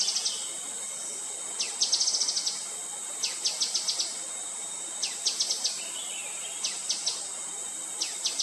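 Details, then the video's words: Gray-headed canary-flycatcher calling: high, thin, sharp ticking notes in quick clusters of three to six, repeated every second or two, over a steady high insect-like hiss. "Gray-headed Canary-Flycatcher calling"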